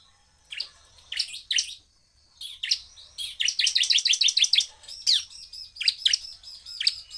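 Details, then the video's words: Bar-winged prinia singing very fast and powerfully to provoke rival prinias: high chirps build into a rapid run of repeated bright notes, then scattered single calls. "CIBLEK GACOR suara penuh emosi tembakan ful POWER sangat cepat memancing emosi ciblek lain"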